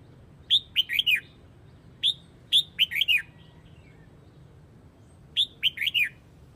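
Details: A Hue red-whiskered bulbul calls its flock with bright, rapid whistled phrases, each four or five notes dropping in pitch, repeated three times with pauses between, against a quiet background.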